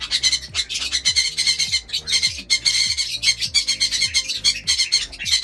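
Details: Lovebirds kept in a home aviary at feeding time with egg food and softfood: a constant, loud chatter of shrill squawks and high chirps, tightly packed and overlapping, over steady rhythmic background music.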